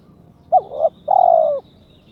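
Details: Captive spotted dove, in breeding condition and calling to challenge a rival: a brief clipped note running into a wavering second part, then one long steady coo that dips at the end, over faint low background hum.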